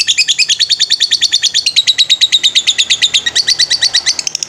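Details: Lovebird master recording in ngetrek style, meant for training birds: a long, rapid run of sharp high chirps repeated evenly, shifting briefly to a thinner, faster burst near the end.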